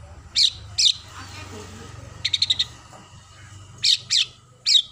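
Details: Oriental magpie-robin singing vigorously in the isian gereja style, a song filled with sparrow phrases: harsh buzzy high notes, a quick run of five sharp chirps, then more scratchy notes over a low steady hum.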